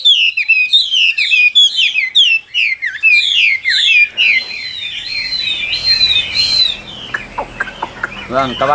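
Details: Loud, methodical song from a Chinese hwamei of the Tam Hoàng type. Fast runs of looping whistled notes fill the first half, then fade to softer, scattered phrases mixed with faint background sounds.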